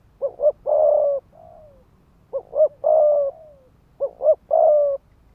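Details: Spotted dove decoy producing fast 'thúc gù' coos to provoke male rivals: three repeated phrases of two brief rising notes and a long mellow coo, sometimes with a faint falling trailing note.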